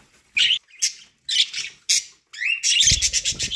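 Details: Pet budgies eating corn give separate sharp chirps, then a longer rising, buzzy warble that ends over a burst of low feeding noise.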